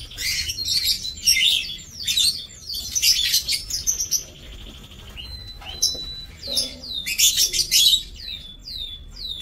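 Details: Lovebirds in an aviary, 7 June 2024, chatter in loud shrill bursts, with a brief steady whistled tone midway and a series of thin downward-slurred whistles near the end.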